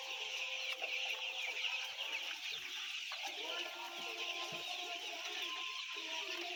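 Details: About 10000 white chicks chirp in a thick, shrill chorus, with occasional lower calls and faint knocks mixed in.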